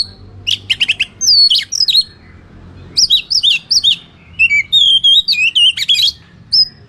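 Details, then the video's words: A vigorous Oriental magpie-robin sings a fighting song meant to rouse rival birds: rapid clusters of sharp chips, then strings of bright looping whistles and warbles, delivered in dense, energetic bursts. "SUARA BURUNG Kacer gacor isian NGEPLONG TARUNG ini paling AMPUH buat PANCINGAN KACER agar EMOSI"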